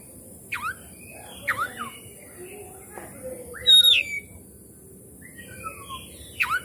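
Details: Lure song of the Oriental magpie-robin, meant to make a sluggish bird sing and open its tail: scattered short whistled phrases and quick downslurred chirps, with a louder high burst partway through, between quiet gaps.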